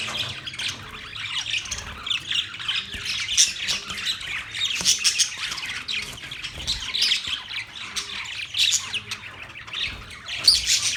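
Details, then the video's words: A group of budgies chirping on and on, a steady bed of high scratchy chatter punctuated by louder squeaks and quick whistled notes. "Budgies chirping sound"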